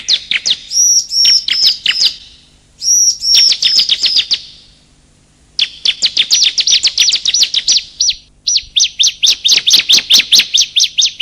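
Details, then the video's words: Male and female bar-winged prinia calls used as a trapping lure: bursts of sharp, high chirps, some in quick rattling runs, pausing briefly before a long, fast series of repeated high chirps. "Suara Pikat Burung Kecil Paling Ampuh || pikat suara burung ciblek"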